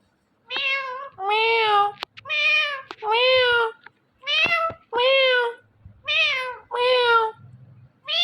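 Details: Pet Indian ringneck parakeet repeating loud nasal meow-like words in pairs, about nine syllables with short gaps and sharp clicks between them, indoors.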